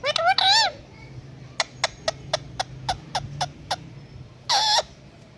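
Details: Talking pet Indian ringneck parakeet imitating a cat, opening with a wavering harmonic mew, followed by a steady series of about nine sharp clicks spaced roughly a quarter second apart, then a loud harsh nasal squawk.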